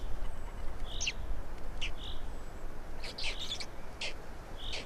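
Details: Black storks feeding in Estonia on 16 May 2019 at 12:47: a few soft, husky short notes among clustered clicks and rattling knocks.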